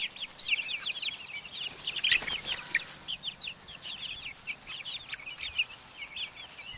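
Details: Outdoor chicks of Buff Orpington, Black Australorp and Americana breeds, recorded in 2010, peeping continuously: many shrill, brief chirps tumbling over one another, a brief louder scuffle near the middle.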